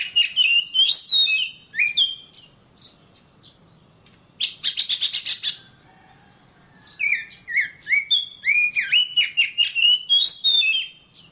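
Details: Training song (masteran) of the oriental magpie-robin, or kacer, for caged birds: varied swooping whistles, a short burst of rapid buzzy pulses mid-phrase, a quiet gap, then a long run of rich slurred whistled phrases.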